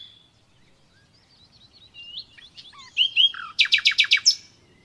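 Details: Common nightingale in natural song: soft scattered whistles and slurred notes building to a loud series of six quick, harsh repeated pulses.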